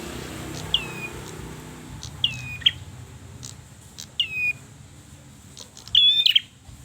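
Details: Red-headed bird in persistent song. Scattered high whistled notes dip and trail off, about one every second or two, ending in a brief busier cluster, with a quiet hiss throughout.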